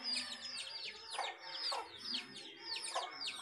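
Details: Hen and chicks: high slurred chick peeps mixed with three short, lower hen clucks spaced about a second apart.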